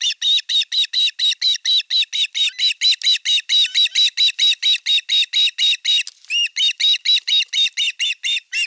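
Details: Osprey calling at nest #1, Satakunta, Western Finland, on 5 August 2024 while an elder chick attacks its younger sibling at fish delivery; an unbroken stream of rapid, even chirps, over two per second, with one brief break midway.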